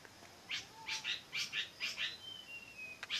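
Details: Songbird in a kicau mania recording, praised as very beautiful: quick bursts of high chirps, often in pairs, roughly two a second, then a long thin falling whistle, over steady background hiss.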